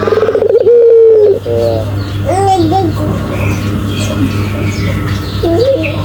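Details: Barbary dove coo tail opens the recording, a drawn purring tone, followed by scattered softer warbling notes and background sounds over a continuous low hum.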